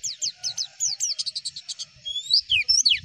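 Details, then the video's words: Javan white-eye tutor song: high slurred chirps, then a burst of rapid clipped notes, then longer sweeping rising and falling whistles, with faint low background noise. "MASTERAN AMPUH PLECI, Klik sekali semua pleci pasti nyaut"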